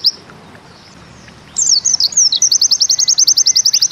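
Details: After a quiet start, a pleci (white-eye) bursts into Bustomi-style song: a few slurred high twitters lead straight into a rapid, evenly spaced zipper-like trill, the 'ziperrr' shot.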